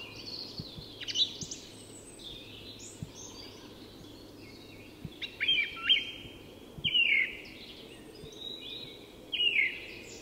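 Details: Song thrush singing at dawn in Tyresta National Park, Sweden: loud whistled phrases with sharp downward sweeps, separated by pauses, over a steady low hum and quieter distant birds.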